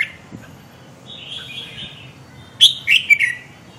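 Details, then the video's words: Red-whiskered bulbul singing: soft, thin warbled phrases near the start, then a loud burst of sharp, bright whistled notes near the end, over a low steady hum. "chào mào khủng long điên 2"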